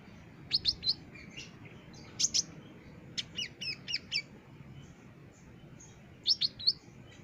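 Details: Olive-backed sunbird kept as a caged bird, a master recording for training other birds: sharp high chirps and short trilled bursts in spaced clusters, with quiet gaps between phrases.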